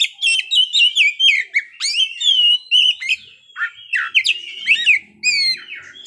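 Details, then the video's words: Singing Oriental magpie-robin runs through its learned phrases. Bright whistles and rapid chirps are strung together, some notes rising and some falling steeply, in a loud, dense, nonstop stream. "kacer ngeplay bongkar isian"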